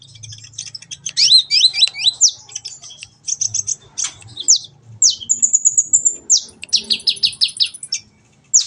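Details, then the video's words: Sunbird (kolibri ninja) song used as a training recording to get a kept bird singing steadily and chattering: rapid, very high thin twitters and sweeping whistled notes, then quick buzzy repeated trills near the end, with a faint low hum beneath. "masteran burung Kolibri ninja agar cepet gacor dan ngobra"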